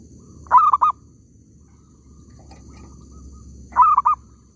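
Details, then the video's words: Zebra dove heard while trapping in an oil palm plantation: two stuttering coo phrases about three seconds apart, each a quick run of three or four soft, clipped notes at mid pitch, over a low steady hum. "mikat perkutut kebun sawit,suara ampuuhh"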